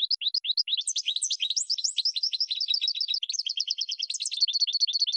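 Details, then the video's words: European goldfinch song meant for teaching birds, dense continuous twittering with overlapping high chirps and buzzy trills, layered as if more than one bird sings at once. "Top 10 GOLDFINCH Songs"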